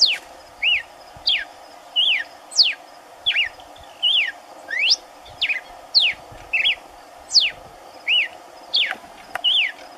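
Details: Red-cowled cardinal singing out of sight in the caatinga while a companion feeds on corn; a steady run of bright whistled notes, rising slurs mixed with dipping wavy ones, about one and a half per second, over continuous hiss and faint knocks.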